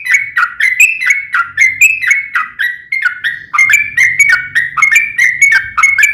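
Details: Trucukan, the sooty-headed bulbul, giving long ropel song used as a lure for other bulbuls: continuous run of bright whistled notes swinging up and down, with a faint low hum underneath.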